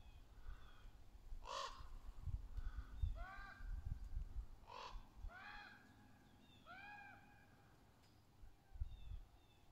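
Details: Juvenile and adult ravens calling to each other among trees: a series of harsh, arched caws and a few fainter notes, irregularly spaced, over steady low background rumble.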